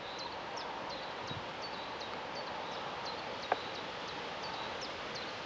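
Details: Moorhen chicks giving short, thin, high peeps that drop slightly in pitch, repeated steadily about three times a second over a soft outdoor hiss, with one sharp knock midway.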